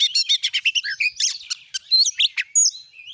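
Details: Rich mimicking song of an oriental magpie-robin, played as a lure to excite other magpie-robins into singing: fast scratchy chips in a rapid series, then varied whistles, trills and thin high slurred notes.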